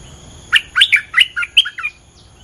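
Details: Lure song of a bulbul, meant to provoke the local territory holder: one lively phrase of about six clear, slurred chirps, alternating higher and lower notes, lasting just over a second, in a quiet setting.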